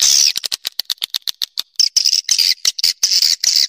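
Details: Swiftlet call meant to lure swiftlets: a rapid series of sharp clicks at first, then longer harsh, buzzy chirps high in pitch toward the end.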